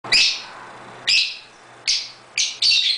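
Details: Pet lovebirds playing together in an indoor birdroom give four harsh, shrill chirps, each a short rasping burst, spaced roughly a second apart over a faint low hum.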